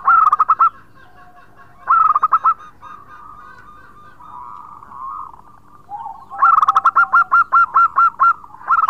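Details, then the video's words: Wild-type local zebra dove singing loudly as a bird lure: short staccato coo runs open the recording, then a long rolling string of about a dozen evenly spaced notes, with soft murmuring coos between. "Perkutut Lokal Gacor Suara keras lokal Alam Ampuh Buat Pancingan"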